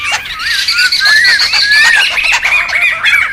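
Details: Noisy wild laughingthrushes heard as a tool for luring and tutoring: a tight tangle of harsh squawks and looping, rising-and-falling whistled notes, several birds overlapping without pause.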